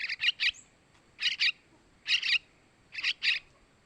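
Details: Sooty-headed bulbul chicks begging, calls used as a lure for male birds: short harsh chirps in groups of two or three, the groups repeated about every second.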